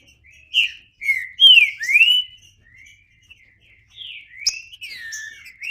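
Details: Green-winged saltator singing a loose run of loud, clear whistled notes, slurred up and down around the upper-middle range, with short pauses between phrases.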